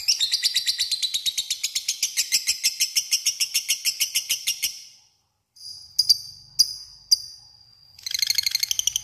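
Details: A lovebird's extended ngekek, a lure to call a rival: nearly five seconds of rapid shrill buzzing pulses, then a pause, a few sharp separate chips, and a fresh burst of chatter.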